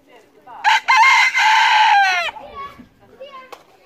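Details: Rooster, a farm bird walking freely around a farm, gives one loud crow lasting under two seconds, a harsh harmonic-rich call that holds steady then drops sharply at the end, followed by faint clucks and background sounds.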